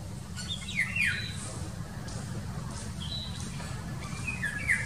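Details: Indian golden oriole calling intensely one March morning beside a busy road: pairs of sharp, falling whistled slurs near the start and again near the end, with a drone of traffic throughout.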